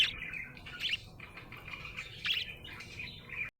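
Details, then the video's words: Happy budgerigar chirping: bright, scratchy warbles with short squeaky notes in bursts near the start, around one second and again past two seconds, over a steady quiet background. "Happy budgie chirping sound"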